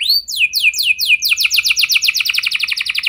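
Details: Caged canary rolling song meant to prompt other canaries into song: a few high sweeping downslurred whistles, then a fast steady roll of identical chirping notes repeated about four times per second, loud and clear without background sounds.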